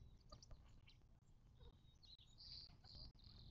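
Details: Birds calling at a Mojave Desert watering hole near Joshua Tree National Park, southern California, 19 March 2024. Scattered high, thin chirps build into a brighter burst of tweets near the end, over a constant low background hum.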